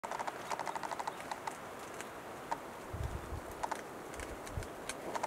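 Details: Wild male western capercaillie performing its courtship display at dawn: sharp dry clicks come in quickening runs, then spaced single clicks, with a few low thuds midway through.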